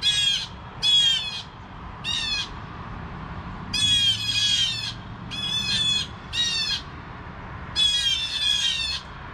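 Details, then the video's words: Morning alarm from blue jays at 7 AM: repeated harsh, nasal screeching calls, some single and some doubled, arriving every second or two over faint low hum. "Blue Jays Alarm at 7AM"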